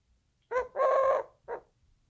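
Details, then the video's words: Eurasian collared dove delivering one three-syllable coo, the middle syllable longest and loudest, the quieter background holding a few soft knocks. "Eurasian collared dove "coo""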